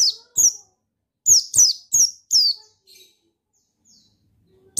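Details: White-eye, buxtoni male, used to rouse a lazy bird into song: a rapid burst of high, slurred, downward chirps close together, then fading softer notes.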